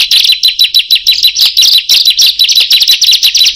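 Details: Ciblek or prenjak, the bar-winged prinia, giving a fierce lure song: fast, bright chirping notes in quick succession, about three per second, high and metallic.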